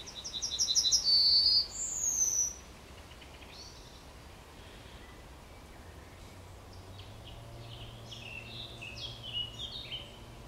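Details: At the edge of Kabaty Forest a Yellowhammer sings a rapid series of repeated bright notes, then a long sustained note and a high sliding note. Fainter songs from other distant birds follow in a quiet background.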